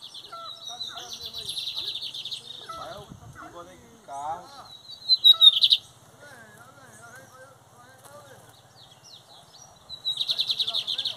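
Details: Lined seedeater song in metálico and torneiro styles, 2023 season: bursts of dense, high metallic trills at the start, midway and at the end, with people talking in between.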